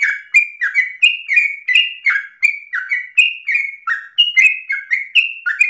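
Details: Sooty-headed bulbul in ropel style, an insistent rapid song used as a training lure. Bright whistles slide down in short steps, sometimes jumping higher, delivered in an unbroken stream of roughly three notes a second.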